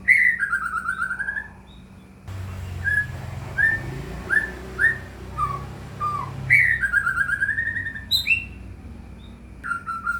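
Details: White-rumped shama, a lure recording played to make caged shamas sing, with loud whistled phrases falling in pitch, a series of short slurred notes, then more long descending whistles; a low steady hum underneath.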